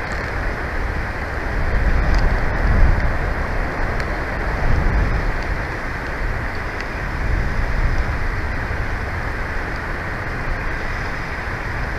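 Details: Steady roar of wind and rumbling noise at a bald eagle nest in Big Bear Valley, with no animal calls heard.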